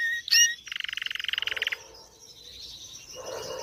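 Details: Belgian canary of the agate pastel variety, one of a breeding pair: a sharp high note, then a rapid even trill of about a dozen bright pulses lasting one second, followed by quieter twittering.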